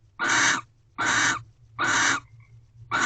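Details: Barn owls mating in an owl box before dawn, 5:48 am on 24 February, sixth night: harsh, broadband hissing screeches about half a second long, repeated roughly every 0.8 seconds, with a low steady hum beneath.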